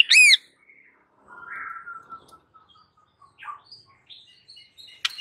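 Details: White-rumped shama in furious, aggressive full song used as a training master: a loud sharp chip opens, then a sliding buzzy phrase near the middle, scattered thin whistles and a final sharp note over silence.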